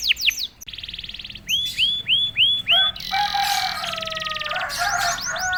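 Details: Prompted canary singing straight away: sweeping whistles, a buzzy trill, four rising-falling looping notes, then a dense harsh rolling trill with lower tones mixed in.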